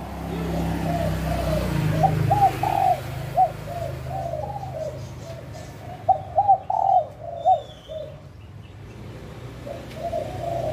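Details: Wild spotted dove cooing at Bang Bai Mai, Surat Thani, Thailand, over a heavy low rumble and steady background noise. A continuous stream of mellow arched coos peaks in a louder cluster midway.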